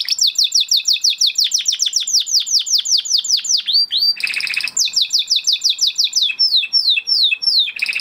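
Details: Spanish Timbrado canary of the huppe type, 2020 breeding, singing a training song of fast repeated descending chips, a brief harsh buzzy burst, then more rapid falling notes.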